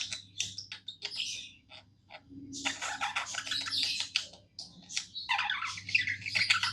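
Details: Pet budgerigars singing happily indoors, a dense, continuous chattering warble of scratchy chirps and buzzy notes, with a low steady hum beneath.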